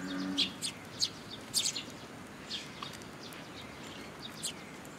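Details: Eurasian tree sparrows assembling at a feeding spot on a post at a Tenmangu shrine, 26 June 2022; a quick cluster of sharp chirps early on, then sparser, softer chirps trailing off.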